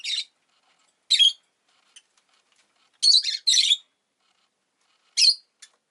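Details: Rosy-faced lovebird kept indoors, on the day of a new egg: loud scratchy chirps, a pair close together in the middle, separated by pauses of about a second or more.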